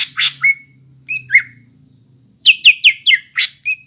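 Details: Greater green leafbird singing in full voice to stimulate young birds to sing. Separate sharp downslurred whistles give way to a fast string of six falling notes and a final high chirp.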